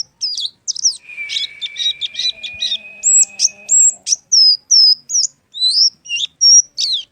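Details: Oriental white-eye (pleci) singing a rapid series of high chirps and thin whistled slurs, with a steady high trill running underneath for about three seconds, then separate rising and falling notes.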